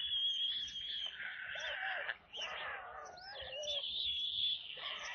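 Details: At a White stork nest in Kaluga region, Russia, during the 17:52 feeding on 22 July 2022, with a corncrake brought as food. Close, loud whining and squealing calls bend and waver, broken by a brief pause, with a thin high whistle-like tone.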